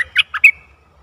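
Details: Decoy bulbul calling to lure a very old wild bird, 11 August 2021; three throaty, rich notes in quick succession, the last one trailing off into a thin whistle.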